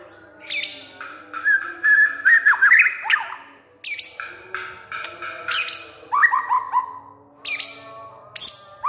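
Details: A captive white-rumped shama named Barong from Semarang, a loud, spirited singer said to sing day and night and puff out its chest, gives a rich, varied song of fluting whistles, rising slurs and harsh chatter in quick phrases.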